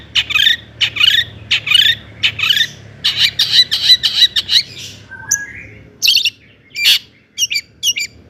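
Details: Long-tailed shrike in the 'toet toet' lure song for provoking other shrikes; harsh squawky notes repeated at a steady pace, then a denser volley of buzzy chips, a soft rising whistle and scattered loud accents.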